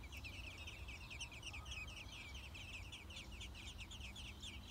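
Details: Six-day-old American robin chicks being fed at the nest give a steady chorus of high, thin, rapidly repeated chirps, several per second, over a low background rumble.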